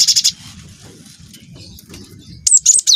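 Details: Young cinereous tit singing as a lure for other birds: a brief rapid buzzy roll at the start, a quiet stretch with soft hum, then a sharp run of high whistles ending in a downward slide.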